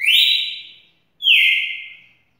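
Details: Two long, loud whistled notes from a champion red-cowled cardinal: the first rises then holds steady, the second starts high and slides gently down. Each note fades out slowly, with silence between them.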